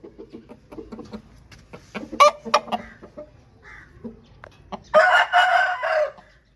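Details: Home-bred Aseel rooster: soft, quick clucks and a few sharp knocks come first, then a short, hoarse, ragged crow lasting just over a second; chicken.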